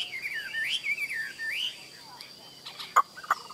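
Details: Caged hwamei at midday giving a few fluid rising and falling whistles, followed by quieter moments and a couple of sharp clicks or knocks.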